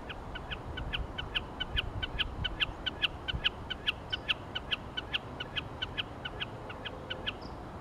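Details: A common snipe sings in Iceland in 2014, a long, even series of sharp, ticking 'chip-per' notes, about three a second, over a low rumble of wind.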